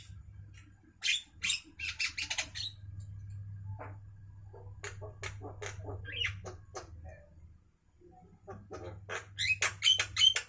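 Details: Singing Javan myna at midday: quick, scratchy squawks and clicks in clusters, a quiet gap, then a dense final burst of harsh chatter and brief whistles, with a low hum beneath.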